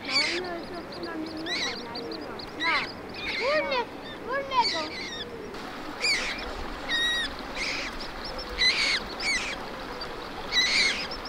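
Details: Common moorhen mother tending and feeding her fluffy chicks at the water in Germany; short arched peeping notes come in loose bursts, several a second, rising and falling, above a steady high hiss.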